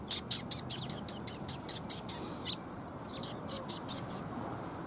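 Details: Flock of sparrows arriving to be fed at a Tenmangu shrine, 27 February 2021: quick, irregular bursts of bright chirping, about two or three per second, with a short pause midway, against a soft constant hum.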